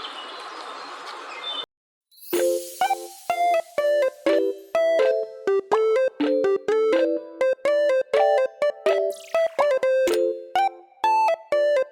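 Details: A burst of broad hiss gives way, after a short silence, to steady synthesizer music of short repeated keyboard notes, with no animal voice.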